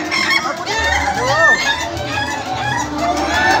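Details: Laughing chicken (ayam ketawa) roosters at a contest final in Indonesia, with several overlapping, wavering crows rising and falling in pitch while a man counts aloud nearby.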